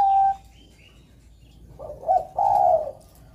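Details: Perkutut, the zebra dove, giving a short whistle, then after a gap a rough coo rising into a longer level coo, over a soft low background hum.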